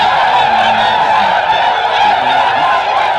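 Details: Huge flock of Tundra swans, frightened by a deer, trying to take off in Ontario, Canada, in March 2017; thick overlapping chorus of honking and bugling calls, steady and loud throughout.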